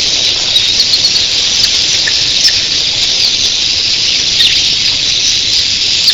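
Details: Early morning flock of thousands of red-billed queleas, an even, hissing wall of high-pitched chatter punctuated by frequent sharp clicks.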